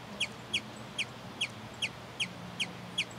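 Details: Territorial song of a sombre hummingbird, eight crisp high chips spaced about 0.4 seconds apart, evenly repeated over a quiet background with a soft low drone.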